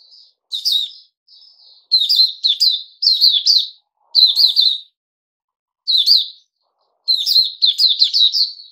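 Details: Bulbul of the Puteh Raja type, recorded 8 May 2021 on a fruit juice and mealworm feed, delivering punchy chirping phrases of quick tumbling notes in bursts, separated by short pauses, closing with a fast rattling run.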